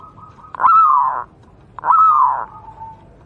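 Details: Wild local Javanese zebra dove, recorded for training other doves, gives two smooth drawn-out cooing notes, each rising sharply and then easing down over about half a second.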